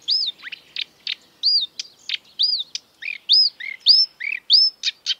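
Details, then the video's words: Exuberant marsh warbler, a copier of European and African bird calls, repeating an arched, whistled slur alternating with dry clicks and lower, nasal downslurred notes in a quick, bouncy, high-pitched sequence. "An exuberant marsh warbler (Acrocephalus palustris)"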